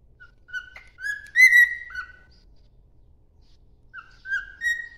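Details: Cockatiel singing in the morning, whistling clear, slurred notes that rise and fall, in two phrases separated by a short pause. No other sounds are heard.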